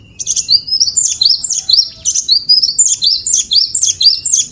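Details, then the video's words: A cinereous tit, called glatik batu or wingko, sings master song for vocal training. It gives steady, rapid repeats of a high, sharp two-note phrase, roughly two per second, continuing throughout. "Guru Vokal | Master Burung Glatik Batu / Wingko"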